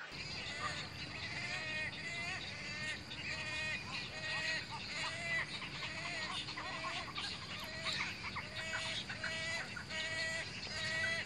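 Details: Wood storks at a nesting colony during the breeding cycle, from mating displays and nest building to chicks growing toward fledging; nasal, harmonic calls repeat roughly once a second from several overlapping birds over a steady, noisy background.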